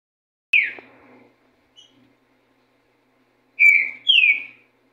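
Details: Green-winged saltator singing: a few loud, clear whistled notes sliding down, then after a pause two slurred whistles in quick succession, in otherwise quiet surroundings.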